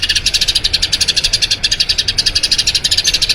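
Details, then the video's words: Eurasian tree sparrow singing its long rolling song for training other birds; quick, bright chirps pour out steadily at a brisk pace, with one brief hitch near the middle. "Masteran Burung Gereja Ngerol Panjang"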